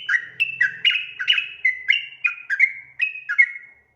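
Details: Sooty-headed bulbul giving a long, chattering 'ropel' song. Rapid whistled phrases alternate between higher and lower notes, about three per second, with sharp clicky attacks. A brief low hum is heard at the start.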